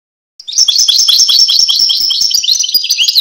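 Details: European goldfinch song: a fast, continuous twittering of high, liquid chirps and trills, notes tumbling rapidly after a short silent start, with no other clear sounds.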